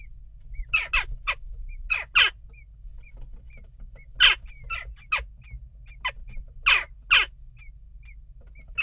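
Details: Continuing disturbance among western jackdaws at a nest box: repeated harsh, abrupt calls, singly and in pairs, scattered across nine seconds, over a background of soft, regular high chirps.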